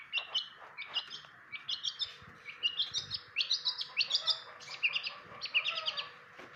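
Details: Long-tailed shrike, used as a 'pastol' bird for others to learn its sounds, delivering a varied jumble of quick chirps and twittered phrases, mimicry-like and continuous.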